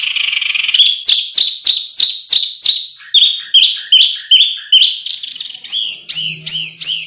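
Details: Canary singing as training material for contest birds: a buzzy opening, then steady repeated downslurred notes about three per second. Phrases shift to lower looping notes, then bright high slurred whistles, with a faint low hum near the end.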